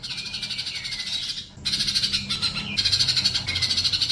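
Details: Sunbird song for coaching captive birds to sing: continuous fast buzzy twittering with interwoven descending whistles, growing louder and more rapid toward the end.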